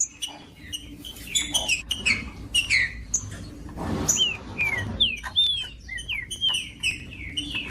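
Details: Green-winged saltator singing for warming up a caged bird: a steady stream of whistled downslurred notes and short chips, interrupted by a soft broadband rustle around the middle.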